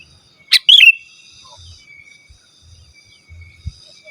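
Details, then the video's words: A sooty-headed bulbul gives one short, lively phrase, a crisp click followed by a rolling liquid whistle, then falls quiet; used as a call to draw rivals and wild birds. Faint low thumps and a thin steady tone follow. "Suara Burung KUTILANG GACOR Asli Tanpa ISIAN Ampun Untuk Suara Panggilan dan Masteran"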